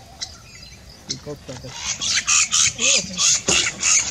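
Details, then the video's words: Indian roller at Jhalana gives a rapid series of harsh, rasping chak notes, about three a second, with faint low voices underneath. "Indian Roller / Blue Jay"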